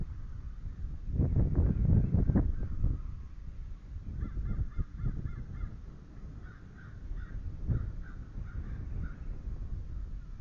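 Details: Bald eagle pair at a nest monitored by a live nest camera, the male incubating eggs on a March 2013 morning around 9:20 am. Low rumbling knocks and thumps come first, then bursts of quick, high, thin chirping notes repeated in rapid series.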